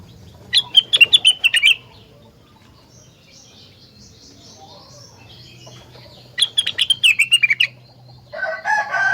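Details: Rengganis songbird, said to set other rengganis singing in response, gives rapid bursts of sharp high chirps in a fast stuttering run, repeated about six seconds later, with a thin warbling phrase between and a lower rasping note at the end.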